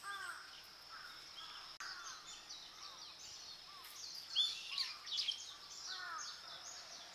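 Warbling white-eyes give a busy stream of thin, high twittering notes, several birds overlapping, with a louder sweet burst in the middle over steady background hiss.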